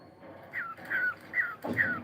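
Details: Four quick falling whistles from a cockatiel at morning time, each sliding downward and spaced about every half second, over a faint low hum.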